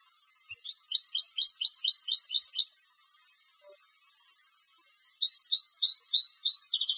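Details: Goldfinch bred for song contests singing two phrases of quick, high twittering notes, the second one speeding into a dense buzzy trill at its close.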